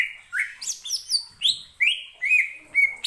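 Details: Greater green leafbird, able to imitate many other birds, sings a fast sequence of clear whistled notes, alternately rising and falling, each about a quarter second long, meant to make other leafbirds sing along.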